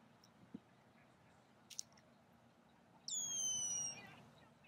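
Red-winged Blackbird giving one high, bright, slightly falling buzzy note under a second long, after a couple of faint ticks in a quiet outdoor setting.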